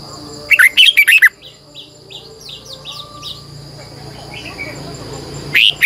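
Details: Morning song of a red-whiskered bulbul decoy in a long, twisted double-voiced style meant to provoke singing: a rapid loud warbled phrase, a string of soft high chirps, then another loud burst at the end over constant hiss.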